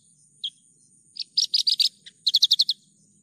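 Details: Javan bush lark singing in a clean lure recording: a single note, then chirping bursts and a run of six quick notes over a faint steady low hum.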